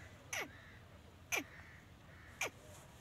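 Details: Dakhni teetari (grey francolin), female: three sharp, harsh notes that sweep steeply downward, spaced about a second apart, over a quiet background with faint low rumble.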